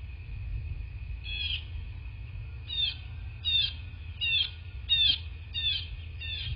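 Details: Bald eagle at a nest in a rural landscape of southwest Florida, filmed by nest camera on the morning of 22 February 2024. A series of thin, high, slurred piping notes comes roughly every 0.7 seconds over a steady electrical whine and low rumble.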